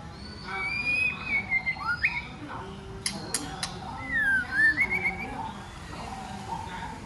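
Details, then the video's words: Female white-rumped shama inciting males to song and combat, giving a long wavering whistle with downward slurs, then sharp clicks and a rising, warbled whistled run. "CHOÈ LỬA MÁI KÍCH TRỐNG TẠCH + HÓT muraI betina fighter, murai jatan auto ngamuk"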